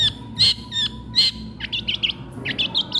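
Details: Long-tailed shrike singing even while feeding: loud scratchy notes, then a quick run of short chips and squeaks, over a steady faint hum.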